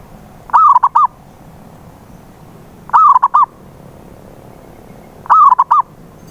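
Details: Lure call of a local zebra dove meant to make a mute perkutut sing; three soft, rounded coo phrases, a sliding first note trailed by two short notes, spaced about 2.4 seconds apart in near silence.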